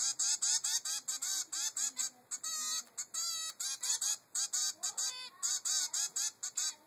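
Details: Young zebra finch, three weeks old, begging its mother for food: a rapid, insistent run of about twenty short, nasal calls, nearly continuous, with a few longer buzzy notes in the middle.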